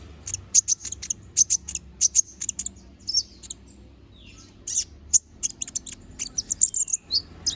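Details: Little spiderhunter singing actively, a burst of sharp, very high, piercing chips and short trills repeated in quick clusters, with brief pauses between phrases and a faint low hum underneath.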